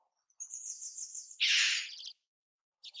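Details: A single loud, hoarse, broadband cry from a red-billed chough lasting about half a second, preceded by a thin sustained high whistle and followed by a brief high chirp.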